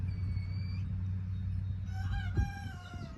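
A young rooster tries to crow: a thin high note, then a hoarse, wavering, falling squawk, all over a steady low rumble.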